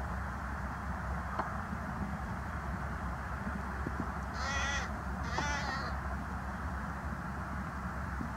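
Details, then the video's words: Carrion crow on the ground, filmed 22 January 2020, croaking: two harsh, raspy caws about a second apart, each roughly half a second long, over steady low background rumble. "Maintenant retour au sol et on continue les croassement."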